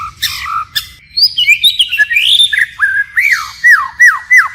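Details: White-rumped shama in forest-voice song with continual phrase changes: harsh chips open, then a flowing slurred warble, then a row of loud arching whistles that each fall sharply.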